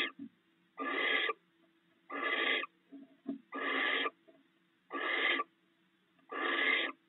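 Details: Nesting barn owl pair sharing rats in the early morning hours; five evenly spaced harsh hissing screeches, each about half a second, coming roughly every one and a half seconds, with small clicks between.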